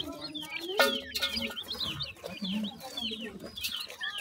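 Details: Grey francolin chicks being fed termites and homemade food: dense overlapping high chirps, many sliding up or down, with a steady low hum beneath.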